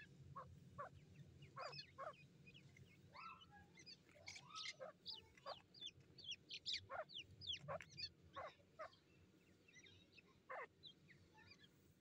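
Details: Young grey francolin (teeter) chicks fighting in captivity from a breeding programme. Bursts of sharp, high, upslurred chirps and clicks come irregularly, several per second in clusters, with short pauses and low background hum.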